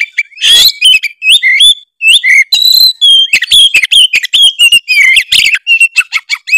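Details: Oriental magpie-robin of the Tretes type in full, vigorous song packed with mimicked phrases, meant to provoke rival birds: rapid varied whistles, rising and falling slurs, and sharp clicks with a harsh burst near the start.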